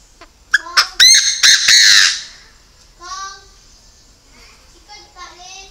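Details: Caged decoy Chinese francolin gives a loud rasping burst of rapid harsh notes, followed by softer, lower descending call notes repeated several times against a quiet background.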